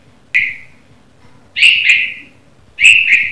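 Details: Morning chirping of a red-vented bulbul: one sharp whistled note, then two bright double notes with trailing tails, spaced over a second apart, with little else audible.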